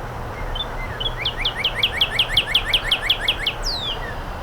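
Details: A female northern cardinal, rarely heard singing, gives one round of song during nesting season: a quick run of about a dozen clear, downslurred whistles ending in a longer slurred note, over a low background rumble.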